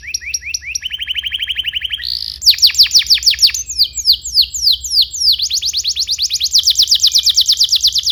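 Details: Canary song for training young canaries: repeated high notes, a lower rapid trill, then loud sweeping syllables and long fast rolls.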